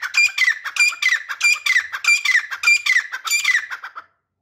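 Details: A teetar, or grey francolin, gives a rapid series of loud, rasping notes, each phrase sliding downward, repeated in an even rhythm for about four seconds before stopping abruptly; close and otherwise quiet.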